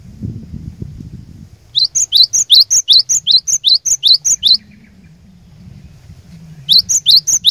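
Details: Glatik batu lure song for finding an opponent: after a low rumble, a fast run of about twelve bright two-note phrases, pause, then the phrase series resumes at the end.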